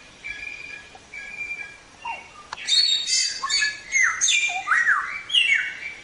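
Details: Samyong song for training songbirds that opens with a few thin, level whistles, then bursts into loud, jumbled chatter with squeaky slurred notes.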